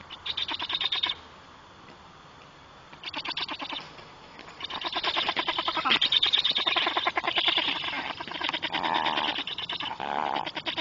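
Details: Black storks at the nest greeting as the third young bird flies in: harsh, rapidly pulsed, buzzy rasping calls, a short burst, a pause, then a long continuous run of high wheezy rattling.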